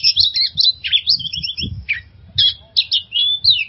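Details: Oriental magpie-robin, recorded as a trigger song for stressed caged birds, giving quick bright whistled flourishes and buzzy trills in short bursts, with light low knocking in the background.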